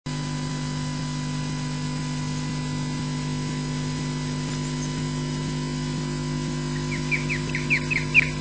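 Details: Osprey (Pandion haliaetus) on a nest camera at Loch Garten, Scotland, possibly the bird Breagh, giving an alarm call: a quick burst of about six sharp, rising whistled notes near the end, over a steady electrical hum.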